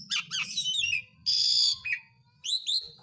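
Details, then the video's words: Short excerpt of Asian pied starling lure song for reviving lazy singers: quick chattering notes, a sustained harsh rasp and rising whistled chirps, with a faint low background hum. "BURUNG MALAS BUNYI JADI GACOR LAGI (JALAK SUREN)"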